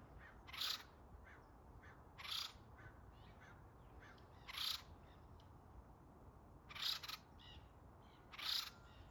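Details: Acorn woodpeckers flying between trees around a home, apparently calling over to another tree; harsh, raspy notes given five times in about nine seconds, roughly every two seconds, over a quiet outdoor background.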